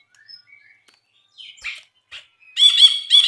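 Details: Songbird tutor recording of a Brinji bulbul: faint scattered whistles and short chirps, then a loud harsh chattering buzzy burst in the final second.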